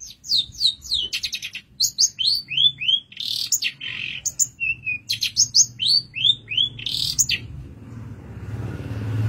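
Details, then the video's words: Cendet (long-tailed shrike) master song for training songbirds, called 'tembakan': varied clear whistled slurs, rising and falling, mixed with short buzzy bursts in quick phrases, pausing quietly near the end. "Masteran Handal pAsti nempel, tembakan mewah burung Cendet"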